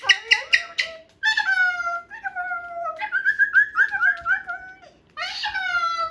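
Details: Pet Moluccan cockatoo indoors, chewing and playing with a new box. Loud harsh harmonic squawks come in bursts: a rapid stutter of short notes, then long wavering cries that rise and fall, and a final strident outburst after a brief pause.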